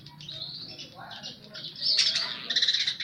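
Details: Baya weaver singing vigorously, its song filled in with house sparrow sounds: short high chirps and thin whistles, then a louder burst of rapid buzzy, pulsed notes toward the end, over a faint low hum.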